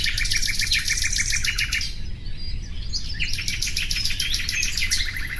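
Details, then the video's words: Common nightingale delivering dense, fast, repeated chattering notes in long trilled phrases, a short pause near the middle, then more rattling runs, over a strong steady low rumble. "Bülbül sesi"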